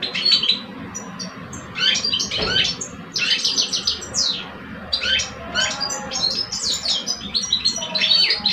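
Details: A contest of song between two caged male European goldfinches in Algeria, one adult veteran and one aged two. Lively, scratchy twittering phrases with liquid trills arrive in repeated bursts separated by short pauses; low indoor hum persists.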